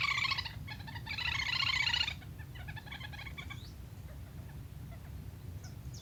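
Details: Lesser whistling duck calling, recorded as a hunting lure: quick bursts of high whistled chatter in the first two seconds, then a few scattered thin notes fading out over low rumbling noise.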